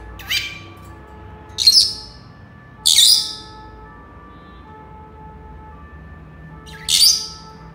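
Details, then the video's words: Senegal parrot giving four short, sharp, high bursts spaced irregularly over eight seconds, each harsh and squawky rather than tonal, with quiet pauses and a low steady hum between them. "Senegal parrots sounds تصفير جميل و محفز لببغاء اليويو السنغالي"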